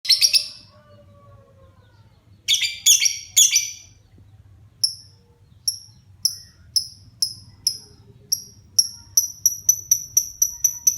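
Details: Pet lovebird, a child's beloved bird, starting to sing actively: a few loud, harsh chirps, then a pause, then sharp high chirps repeated faster and faster toward the end, with a faint low hum behind.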